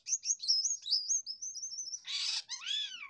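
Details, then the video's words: A jalak kapas myna, shown off for its song, sings a run of high, quick warbling whistles, then a harsh rasping burst and a few slurred, rising-and-falling notes. "SELALU MEJENG DENGAN KICAUANYA,JALAK KAPAS LOSDOL"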